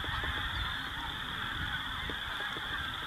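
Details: Large mixed flock of snow geese, blues and Ross's geese feeding during spring passage through the Dakotas; a constant din of overlapping distant honks without pause, occasional nearer goose notes standing out, over low wind noise.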